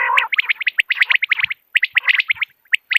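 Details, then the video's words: Morning common quail calling for hunters: a short raspy phrase opens, followed by quick groups of sharp whistled notes, two or three at a time, with short silent breaks. "Morning Quail Call 2025 صوت السمان واضح للصيد Batair Ki Awaz بٹیر کا شکار"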